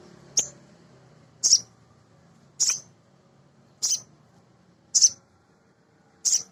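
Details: Male sogon, a small nectar-eating sunbird played as a lure to make other birds sing: six sharp high chirps repeated roughly every second, evenly paced in a quiet setting.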